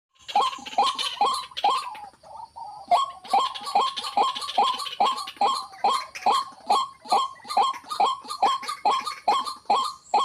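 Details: White-breasted waterhen giving loud, harsh croaking notes, each sharply falling, repeated rapidly about twice a second in a steady rhythm. A brief break comes near three seconds, then the series resumes.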